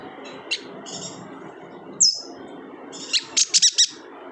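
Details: Kalimantan yuhina singing, used as training song for cage birds: a thin chirp, a short flat whistle, a sharp falling whistle, then a fast rising sequence of five bright clipped chirps.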